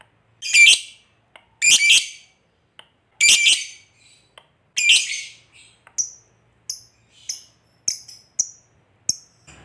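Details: Lovebird, a fighter bird used to goad a lazy lovebird into singing; four loud harsh squawks, then a series of thinner, sharp high chirps.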